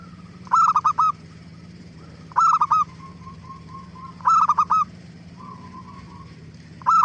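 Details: Zebra dove (perkutut) song, played as a lure to make other doves answer: bursts of three to four quick, staccato cooing notes with clear harmonics, repeated roughly every two seconds, with faint softer notes between and a steady low hum behind.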